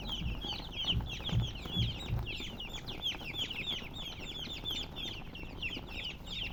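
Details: Young chicks keep up a busy chorus of piercing, falling peeps, a little over two a second, while dull low knocks sound near the start.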